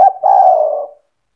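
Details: Spotted dove singing in 'cetretan' style to provoke other doves: a brief clipped coo running into one long, low, purring note that fades out.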